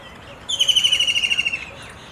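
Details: A white-throated kingfisher, filmed 21 April 2023, gives a loud, shrill trill of rapid notes lasting just over a second and sliding gently downward in pitch, against a quiet background.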